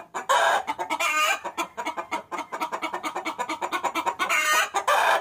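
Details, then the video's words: Female chicken summoning a rooster: loud drawn-out squawks open and close a dense stretch of quick, repeated clucks. "Suara Pikat Ayam Betina Memanggil Jantan"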